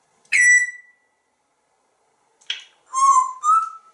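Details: African Grey Parrot kept as a talkative pet in Texas, giving a clear whistled note with a dropping tail, a short click, then two more whistled tones, in a quiet room.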